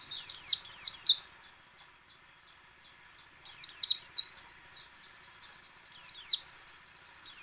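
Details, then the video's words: White-eye singing ngecal, ngalas and nembak styles to encourage other white-eyes to sing: short loud twittering outbursts about every two and a half seconds, linked by faint, rapid ticking chatter. "PLECI ngecal, ngalas dan nembak AMPUH memancing pleci buka paruh"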